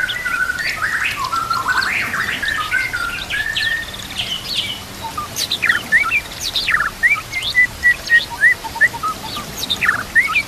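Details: White-rumped shama song used as a training master: buzzy mid-pitched phrases at first, later sharp high chips and short whistles repeated, with steady background noise like running water.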